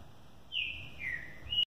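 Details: Green-winged saltator, a competition bird kept in a cage, at the end of the moult, whistling a long phrase: a level high note gliding lower, then an abrupt short rising note before it cuts off; low background rumble.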